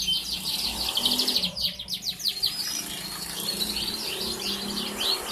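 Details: Young canary, four months old, recorded Wednesday 11 August 2021, singing to encourage other canaries to sing; high, fast trills and rattling runs come through against a steady noisy background hiss.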